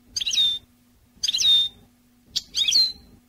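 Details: European goldfinch, teaching song for training birds: three high, tangled twittering phrases, each ending in a clear falling whistle, about every 1.2 seconds, over a steady low electrical hum.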